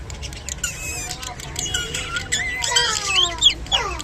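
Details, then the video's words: Japanese budgerigars chattering during mating in a rapid, scratchy warble of rising and falling squeaks that grows busier toward the end, with a low hum beneath. "japanese budgerigar mating and sounds"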